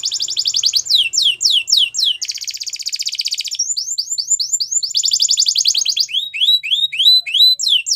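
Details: Belgian canary training song alternating dense buzzing trills with series of clear downslurred whistles, several tours repeated back to back without pause.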